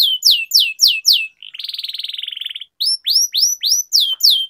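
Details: Canary long-rolling song for training young birds. Five clear downslurred whistles, then a dense buzzy trill lasting about a second, a short silence, and six more swooping whistles.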